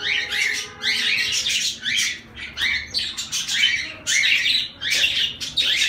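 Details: Zebra finches in a busy chorus of nasal, trumpet-like honks and buzzy notes, with repeated bursts and a faint steady hum beneath.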